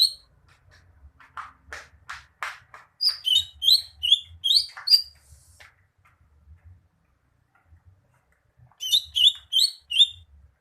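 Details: Greater green leafbird song: a run of short sharp clicks and chips leads into loud, bright whistled notes that bend up and down, a pause, then another string of quick whistled phrases.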